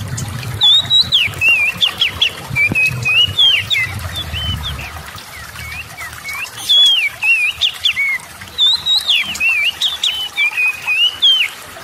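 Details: Oriental magpie-robin singing, used to goad idle magpie-robins into vigorous song; sweet whistled phrases with sharp upslurs and dips, delivered in fast bursts, separated by a short quieter stretch, with a low rumble early on.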